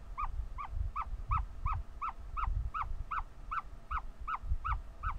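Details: Ostrich chick vocalising while hatching, still working out of its egg: a steady run of short, clear, downward-slurred peeps, about two or three per second, over a low continuous rumble.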